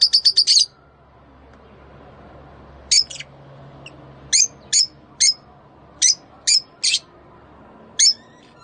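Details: Mating call of Rosy-faced and Fischer's lovebirds, meant to stimulate breeding: a rapid burst of five piercing chirps, then single shrill chirps spaced roughly half a second to a second apart against quiet background.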